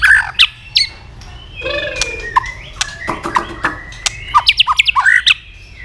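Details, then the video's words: White-rumped shama stimulated to sing its fighting song with tail flicking: scattered whistled slurs and sharp clicks, a drawn-out lower rising note, then a quickening run of bright whistled phrases near the end. "chòe lửa đập đuôi liên tục kích thích lửa hót đấu nhanh căng"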